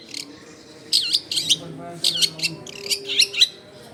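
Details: Long-tailed shrike song meant to lure wild shrikes, taped at home in a crowded neighbourhood: clusters of harsh, scratchy high notes mixed with looping whistled slurs, in short bursts with brief pauses; low household noise behind.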